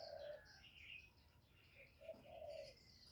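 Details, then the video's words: Spotted dove calling in a recording used to lure and stimulate wild doves; low, hollow coos rise and fall at the start and again after two seconds, with higher chirping from other birds over a faint background. "Tiếng chim cu, cu gáy kích bổi"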